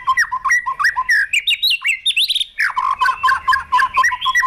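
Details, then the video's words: White-rumped shama, a trained bird provoked into intense fighting song while flicking its tail on the perch; loud, varied whistled phrases with slurred rising and falling notes, briefly pausing near the middle before dense chattering notes resume. "Chòe Lửa Đánh Đuôi Sàn Cầu Kích Lửa Hót Căng. luyện Chòe lửa hót đấu"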